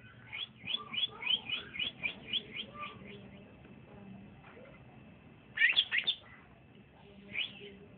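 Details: Caged young male green leafbird (cucak ijo), just starting to sing: a run of about ten rapid chirps, a quiet stretch, then a loud cluster of sharp notes and one last chirp.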